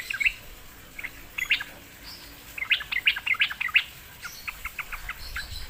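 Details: Sooty-headed bulbul coaxed into answering: scattered chirps, then a quick bubbly phrase of bright repeated notes, followed by softer trailing notes against faint background hiss.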